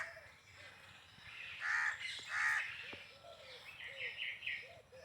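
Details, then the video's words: Peacock giving two loud, harsh harmonic cries a second apart, followed by quieter buzzy notes, while short falling whistles of other birds repeat low in the background. "peacock funny sounds video"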